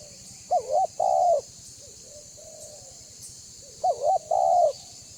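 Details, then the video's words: Spotted dove of the banggo voice type, used as a lure so other doves call and approach; two loud coo phrases, each a quick wavering double note then a longer smooth falling coo, with softer distant coos between and a steady high insect hum. "Suara Burung Tekukur BANGGO Gacor Membuat Terkukur Lain Auto BUNYI Dan MENDEKAT !!!"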